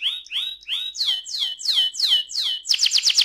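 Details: Canary singing ngerol style to prompt other canaries: a few rising whistled notes, then loud downward-sweeping slurs repeated about every third of a second, ending in a fast buzzy high trill.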